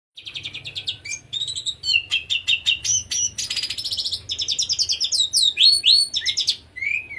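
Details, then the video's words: Oriental magpie-robin in konslet style, a song used to stimulate silent or young magpie-robins to sing: a continuous, fast medley of high, sharp, varied notes, rapid trills and whistled slurs with no pauses, over a low steady hum. "burung kacer konslet"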